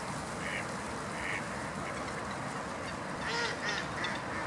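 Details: Hybrid of domestic Mallard and domestic Muscovy duck in Croatia giving short, nasal, harmonic calls: two spaced notes early, then a quick cluster of three or four near the end, over steady background hiss.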